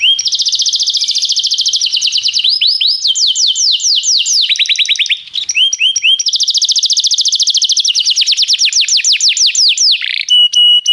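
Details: Canary singing as a training tutor for a young bird: long, dense rolling trills and rapid buzzy repeated syllables, changing tour every few seconds, with a brief pause midway and a steady whistle at the close.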